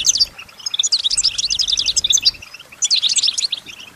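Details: Female goldfinch kept as a pet, singing while mimicking nearby sounds: a quick tumbling run of sharp, high chirps and trills, a brief pause, then another bright twittering burst.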